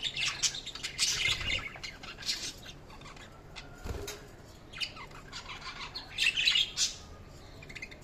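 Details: Budgies give high chirps and short squawks in scattered bursts, with a soft thump and brief rustling between them.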